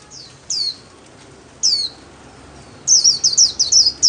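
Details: White-eye kept for song, singing solo: a few separate high downslurred whistles, then a quick rattling run of sharp twittering notes.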